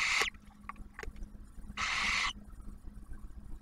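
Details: Barn owl nest box at Ottawa National Wildlife Refuge, Ohio, with the male delivering food and the female feeding the owlet; a short hiss then a longer rasping screech of about half a second, with light tapping and a faint low hum between.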